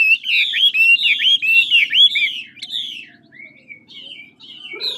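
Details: Large, handsome Chinese hwamei of the ngũ trường type from Lạng Sơn old forest, singing smoothly in duel style: loud, rich slurred whistles tumbling rapidly for nearly three seconds, then softer, scattered notes over a low hum.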